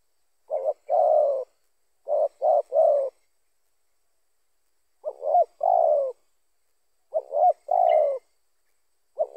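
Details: A spotted dove calls steadily, its voice meant to lure other spotted doves. Repeated phrases of short clipped coos leading into a longer, slightly falling note, roughly every two to three seconds against a quiet background.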